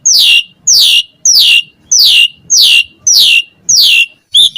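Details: Jalak suren, the Asian pied starling, pumping out its varied song as a tutor recording: a bright, buzzy note sweeping downward, repeated about every 0.65 seconds, seven times in a steady series.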